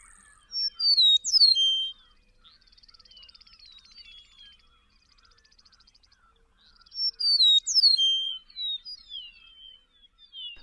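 Eastern Meadowlark singing two clear, slurred, high whistled phrases that fall in pitch, about six seconds apart, with a soft buzzy chatter between them.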